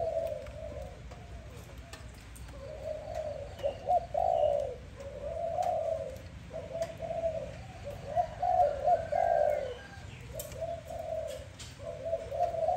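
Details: Dove heard at morning time giving a series of low coos in separate swelling bursts roughly every second or two, with faint clicks and distant background noise.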